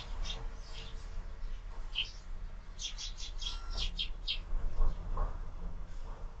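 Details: Sparrows at a window-mounted feeder in the morning, giving scattered short chirps in small bursts over a low steady rumble, with a brief louder chattering run in the middle.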